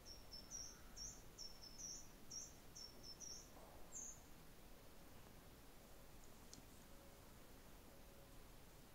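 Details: A pair of red-rumped swallows by their nest at a house, where they have returned each spring for four years, gives a run of quick, very high twittering chirps for about four seconds, then quiet, over a low background rumble.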